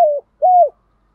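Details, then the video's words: A decoy spotted dove calls in the morning to set off hard-to-please doves. Two smooth, low coos, the second slightly rising then falling away, in a quiet setting. "Tiếng chim cu mồi gáy gọi buổi sáng, giúp kích thích những con bổi khó tính gáy theo cả ngày"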